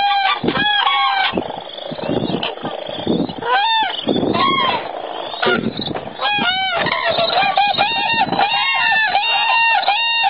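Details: Flock of common cranes in Spain giving ringing, bugling trumpet calls, many voices overlapping and answering one another almost continuously, with short pauses and steady low background rumble.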